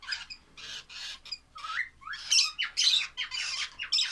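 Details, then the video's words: Young lovebirds give rasping squawks that build into faster, louder shrill chirps, including a few clear downslurred whistled notes, in a lively, irregular sequence. "love birds baby"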